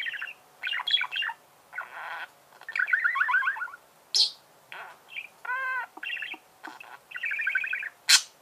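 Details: Chirping budgerigar in a varied warble: rattling pulsed phrases, nasal chirps, sharp high clicks, and a brief clear rising whistle in the middle.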